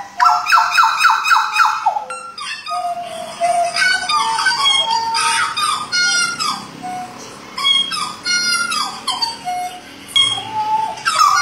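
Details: A pied butcherbird from Jayapura, Papua sings rich, fluting whistles: a quick run of repeated mellow notes, then varied, ringing phrases with short pauses between them, in a small indoor space.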